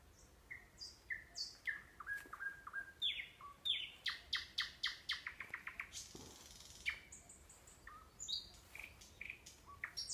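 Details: Singing nightingale near a sanatorium in Kursk Oblast, Russia, over ten seconds: descending whistled slurs, an accelerating run of loud clipped notes, a brief rasp, then varied high whistles and chirps.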